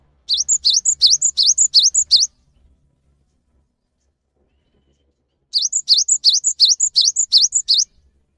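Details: Cinereous tit in a lure recording meant to provoke silent or stressed tits into singing: two bursts of about eight quick, ringing, high, sharp two-note phrases, separated by a three-second pause.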